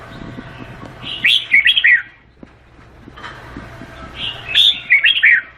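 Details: Two matching song phrases from a Vietnamese-type red-whiskered bulbul, each a quick run of rich, rolling whistles, spaced about three seconds apart over low background hum.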